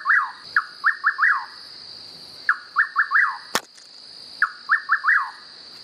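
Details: Rufous Nightjar singing in the wild: a lone note followed by three or four quick, rising-falling whistles, repeated roughly every two seconds over a steady high insect drone.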